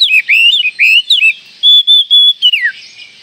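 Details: Oriental magpie-robin call intended to provoke rival magpie-robins: rapid loud whistled phrases, wavering notes, then three steady flat whistles and a final falling slur.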